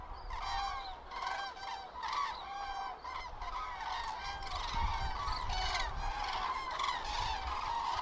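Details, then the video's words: Common crane flock on autumn migration, central Hesse, Germany, 31 October 2022, in poor weather; dense, ringing trumpet calls from many birds overlap continuously, loud and harmonic, with a faint low rumble. "Herbstzug der Kraniche Grus grus"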